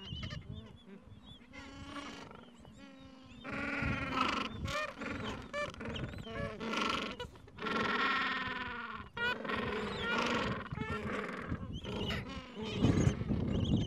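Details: Several gentoo penguins call at a Falklands breeding colony where two-to-three-week-old chicks are tended at nests, mild afternoon; long, loud, rasping brays with rich harmonics come in repeated surges, with thin high peeps and low rumbling between them.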